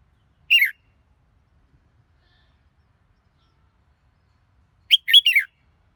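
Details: Red-whiskered bulbul singing two short, bright phrases of quick slurred chirps that fall in pitch, separated by about four seconds of silence.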